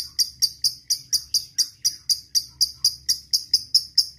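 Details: A fighter lovebird ticks out separate sharp high chips, about three per second, in ngetik style while calling a rival; each note is short and clear with quiet gaps between.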